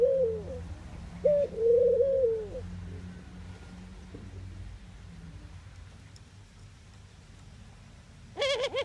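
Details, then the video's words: Two soft coos from a Eurasian collared dove in the Netherlands, followed by a long quiet stretch and a short burst of nasal, overtone-rich notes at the very end. "Ringneckdove cooing, Collared call, dove sound"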